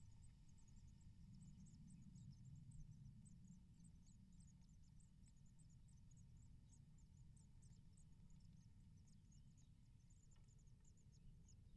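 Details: Ten hungry great tit nestlings begging while their parents feed them: faint, very high, thin chips repeated rapidly and continuously, many overlapping, over a steady low rumble of background noise.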